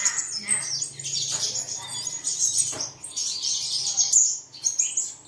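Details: Birdsong played at dawn to make caged birds sing. Bright high twittering and trilled phrases from several birds, with a low background hum underneath.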